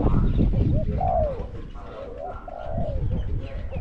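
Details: Decoy spotted dove matched against a wild bird, voice graded small to medium; two drawn-out cooing notes that rise and then slide down, over low rumbling background noise.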